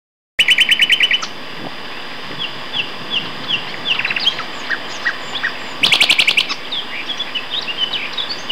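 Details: Two male common nightingales singing at Castor Hanglands near Peterborough, England, in May 2012: rapid rattling bursts of repeated notes, then a series of spaced, rising and falling whistled phrases, another fast rattling burst near the end.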